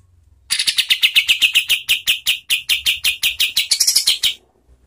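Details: Kapas tembak pouring out a long, fast train of sharp chirping notes for nearly four seconds, slightly rising near the end, played as a master song to train competition birds.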